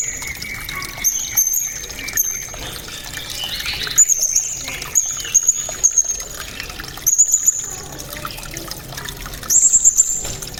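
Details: Srindit (blue-crowned hanging parrot) voice, said to be loud, sharp and very clear, in 'cililin' style: high piercing whistled notes and short bursts come every second or two, with trickling, pouring water throughout.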